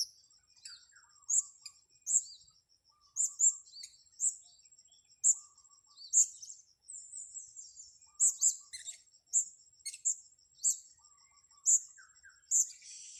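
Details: Blue-crowned hanging parrot recorded while being lured, repeating short, piercing high chirps about once a second, in places doubled or run together, over a steady thin high tone.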